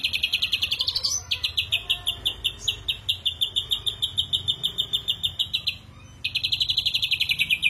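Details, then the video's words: Harsh 'shot' phrases from an ashy drongo. An opening run of quick notes climbs in pitch, then a steady string of clipped, raspy notes follows, with a short silent break before the rapid, high chatter returns. "Tembakan Kasar Srigunting Abuabu"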